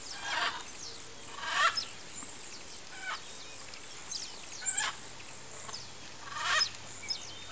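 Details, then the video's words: Rufescent Tiger-Heron (Tigrisoma lineatum), a Pantanal bird, gives harsh, rasping croaks about every one to two seconds over a steady high-pitched insect whine. "SOCÓ-BOI (TIGRISOMA LINEATUM), RUFESCENT TIGER-HERON"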